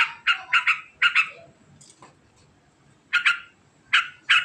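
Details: Sooty-headed bulbul delivering ngekek chatter: a quick burst of harsh doubled notes, then a pause of about two seconds with a faint click, then more scattered rasping pairs.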